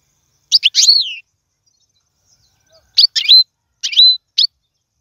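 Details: European goldfinch phrases meant for tutoring fledglings to sing: a few high chirps and a falling slurred note, a long quiet gap, then two more short groups of sharp twitters with a level whistled tail.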